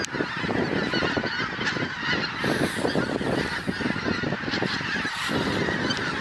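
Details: Huge flock of geese arriving on a pasture over the trees; dense continuous honking chorus with sharper individual calls overlaid and the rush of many wings.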